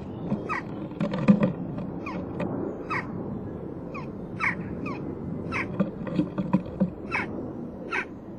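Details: Fledgling western jackdaw begging for food from both parents at its nest box, 12 June 2015, late morning, on the day it fledged; a rapid, irregular run of loud, downward-sliding chack calls, with scraping and bumping underneath.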